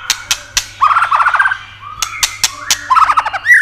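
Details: White-rumped shama song, played to excite other shamas. Two rattling, buzzy trill runs alternate with sharp single clicks, and the clip ends on a rising whistle.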